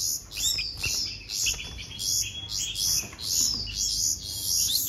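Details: Baby bulbuls being hand-fed beg with shrill, high chirps, about two a second, in uneven overlapping bursts, with faint low handling noise beneath.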